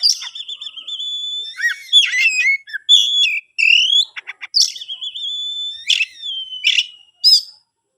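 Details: Captive-bred oriental magpie-robin in varied song, mixing sweet wavering whistles, sharp buzzy notes, quick trills and rising slurred phrases in a continuous, lively stream.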